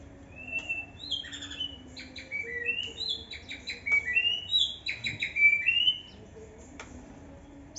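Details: Young white-rumped shama in an aviary in Indonesia, singing a rapid, varied run of clear whistled and slurred phrases, some rising and some falling, with short trills between them over a low steady background hum.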